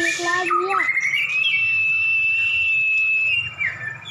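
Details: Dueling white-rumped shamas, two caged champion birds set against each other: a few low rising notes, then one long, steady, high whistle held for about two seconds before breaking off.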